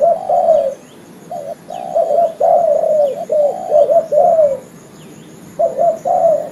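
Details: Male spotted dove used for lure trapping, calling its companions with repeated husky coo phrases of several jerky notes, long pauses between bursts, and faint high bird chirps in the background.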